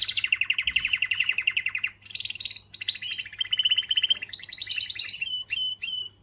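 A canary sings a loud, fast run of rolling trills and chattering phrases, shifting pitch between sections and ending in high, clear whistled notes.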